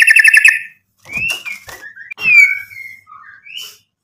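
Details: White-rumped shama song meant to provoke rival birds into replying: a quick pulsed buzzy burst, then slurred whistles sliding up and down with short gaps between phrases.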